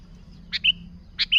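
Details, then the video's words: Sooty-headed bulbul sound meant to attract other bulbuls, two paired notes, each a short burred chirp followed by a clear flat whistle, over a faint hum. "Suara Burung Kutilang Gacor ASLI Tanpa isian, Ampuh untuk Pikat Kutilang"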